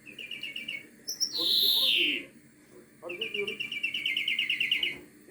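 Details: Singing European greenfinch, known in Turkish as flurya: a short trill, then a loud drawn-out descending wheeze, then a long fast rattling trill, with soft low chatter and music behind.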